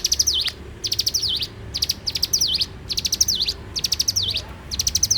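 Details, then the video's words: A vigorously singing bar-winged prinia repeats high phrases through the morning, about seventy a minute. Each phrase is a quick series of bright ticks ending in a sharp V-shaped slur. "suara alam cigun gacor dipagi hari"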